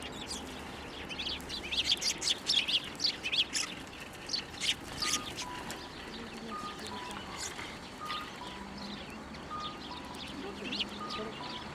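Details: Several sparrows landing on a hand to take food at a Tenmangu shrine on 1 January 2024: a burst of rapid, sharp chirps clustered early, then sparse chirping, with a soft repeating tonal note in the background.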